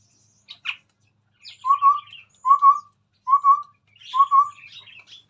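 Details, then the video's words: Chestnut-rumped babbler singing vigorously in front of a phone: a few high scratchy notes, then mellow low whistles in rising pairs repeated about every 0.8 seconds, with soft twittering between them. "Burung Tepus Tunggir merah Gacor"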